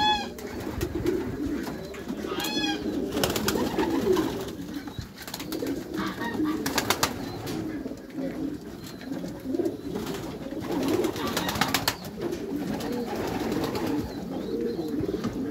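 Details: Meulemans racing pigeons in a backyard loft, several birds cooing together in a low, overlapping murmur, with a brief burst of higher chirping near the start and scattered sharp clattering knocks throughout.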